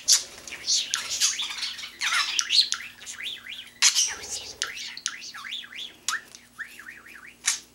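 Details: Indoor pet budgie known for mimicking phrases; loud scratchy squawks give way to repeated up-and-down whistled warbles in quick sequence, ending with a sharp squeak.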